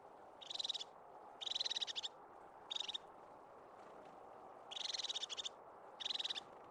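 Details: Crested tit in Caledonian pine forest in the Scottish Highlands gives five short, high purring trills of rapid ticking notes, a second or two apart, over a steady low rush of background noise.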